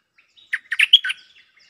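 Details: Decoy Cream-vented bulbul countering a resident bird: a short lively phrase of five chirped notes linked by a high thin whistle, with faint soft notes before and after.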